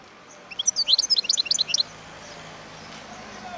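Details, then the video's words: Wild European goldfinch singing a quick burst of high, liquid twittering notes lasting just over a second, then going quiet against a faint background hiss. "اسمع صوت الحسون البري"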